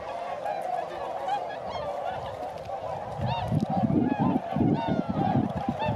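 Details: Flying tundra swans at Sasagata, Japan, 3 November 2018, giving many overlapping nasal honks, with several clearer bugling calls standing out in the second half above a low background rumble.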